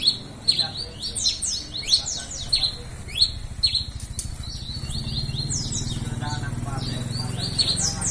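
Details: Red-crested finch singing energetically with repeated high, sharp downslurred chips, some in quick doublets, while a steady low rumbling noise rises in the background from midway.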